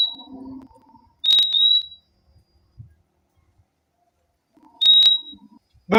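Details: Fim-fim (purple-throated euphonia) singing: two high pure whistles, the second split into a quick double 'fim-fim', about three and a half seconds apart, over soft low rumbling and clicking background noise.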